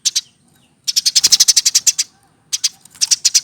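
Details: Over a year old and hand-reared, a caged Eurasian tree sparrow gives two chirps, then a fast run of about a dozen high notes, then more quick chirping.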